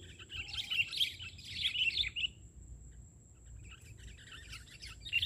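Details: Sooty-headed bulbul singing during bird trapping, perched on the ground: a dense run of chirpy, bubbling whistles, then silence, then a few softer notes returning.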